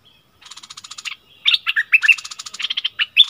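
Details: Streak-eared bulbul used as a decoy bird, singing: dry buzzy rattling trains of rapid notes, then bubbly, chirping, up-and-down warbled phrases mixed with quick rattles, loud and close with no other sounds.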